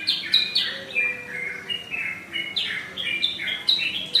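A sooty-headed bulbul gives a loud, liquid run of short whistled notes, many sliding downward, about two per second, with a faint hum behind.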